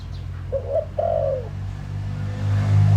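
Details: Decoy spotted dove calling to attract wild doves: a short hoot then a long smooth falling coo, followed by a rising low rumble.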